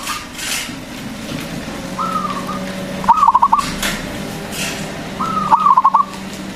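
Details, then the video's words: Big-voiced local zebra dove whose song serves to provoke other doves into singing. Two phrases: a drawn-out soft coo, then a quick rattling series of pulsed coos, over a steady low hum. "pancingan burung perkutut agar bunyi"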